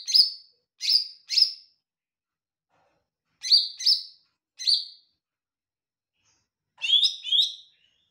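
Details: Lesser green leafbird (cucak ijo mini) singing actively and sweetly: bright, sharp, downslurred chirps in runs of three, a pause, then another triplet, closing with a lower, twittering pair of notes.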